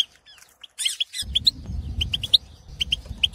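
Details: Wild Algerian male European goldfinch in breeding condition, kept in an aviary, singing to excite and stimulate other goldfinches for mating: after a near-silent start, sharp high twittering notes come in quick bursts over a low rumbling background noise.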